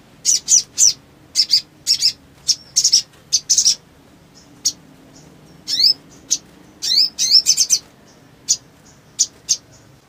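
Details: Sogon in strong voice meant to trigger other sogon to sing: groups of piercing chips, a few quick upward-sweeping whistled notes midway, and scattered single tweets separated by short silences.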